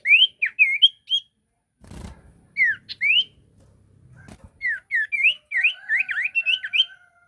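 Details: Ashy tailorbird lure song of clear whistled notes in quick bursts, each note sharply rising or falling, with a brief noisy patch and a crackle between phrases.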